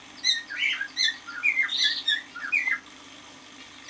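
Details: Half-year-old male cockatiel singing indoors: a string of bright whistled notes, some swooping upward and others sliding down, with a short warbled burst near the middle and brief pauses between phrases.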